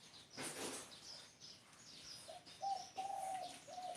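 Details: Spotted dove giving low, steady, hollow cooing notes in the final second and a half, in several short held tones, after a burst of rustling noise and faint high chirps from other birds.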